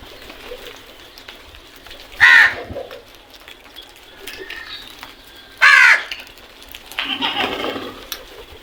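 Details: Crow cawing in the morning: two loud harsh caws about three seconds apart, then a softer rasping call, with light background birdsong.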